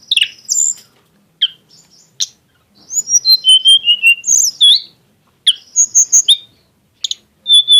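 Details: Song of a tledekan gunung, described as exotic in style with lavish bursts: scattered sharp chirps, then a run of clear whistled notes stepping downward, later quick high chips and a final short whistle, with pauses between phrases.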